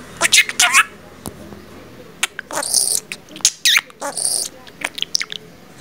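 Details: Pet budgerigar known for memorizing and repeating nearby talk, producing speech-like warbled syllables followed by sharp scratchy squawks and chirps, loud and close.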